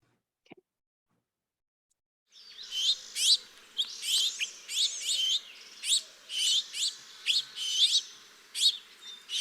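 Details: A fledgling House Finch at a backyard feeder, from a second or third brood, gives harsh, buzzy, high 'zwir' notes in uneven bursts about twice a second, over a faint hum; the call is very similar to adult call notes.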